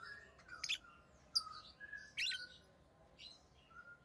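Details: Rosy-faced lovebird chirping, tame pet bird: sharp high chirps and short squeaky notes scattered through the clip, with softer thin whistled notes between bursts.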